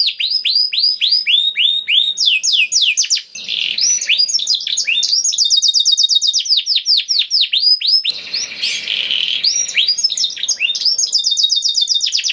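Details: Vigorous 'kenari gacor' canary song with fast chattering trills and swooping whistles, interrupted twice by short stretches of rough, noisy chatter before the trilling resumes.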